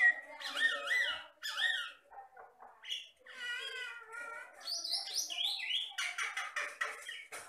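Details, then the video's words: Riau Islands Jalak Batam myna, a mimic of human and other sounds, singing varied looping whistles, warbled phrases and high rising-falling notes mixed with scratchy chatter in an energetic string. "MASTERAN BURUNG JALAK BATAM GACOR"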